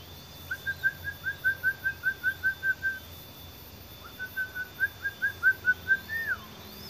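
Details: Hand-fed nine-day-old green pigeon nestlings before sunrise; two runs of rapid, evenly pulsed whistled notes, each a few seconds long, the second closing with a brief upward flick and drop.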